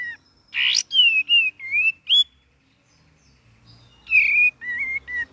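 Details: Cream-vented bulbul in a varied gacor and ngeriwik song, recorded as lure and master material: a rapid run of clear, wavering whistles, a pause of about two seconds, then more slurred whistled notes.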